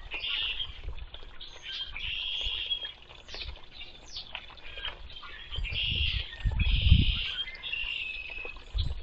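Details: Red-winged blackbird calling in several buzzy, trilling bursts spaced a second or two apart, with quick sharp chips between and bursts of low wind or handling rumble.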